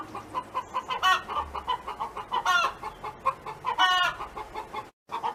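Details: A neighbor's hen sings on a farm, with rapid, regular clucking punctuated by three long, buzzy squawks roughly every one and a half seconds. A brief silent break comes near the end before clucking resumes.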